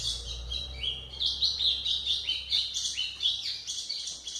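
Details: Tutoring song of a white-throated seedeater: dense, bubbling high chirps and bright upward-swept whistles repeated rapidly and continuously, with a soft low electrical hum underneath.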